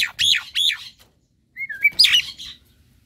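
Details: Semi white-eyed Javan myna singing vigorously while bathing in a cage: two harsh, buzzy chattering bursts, a pause, then short whistled slurs followed by a scratchy rasping phrase.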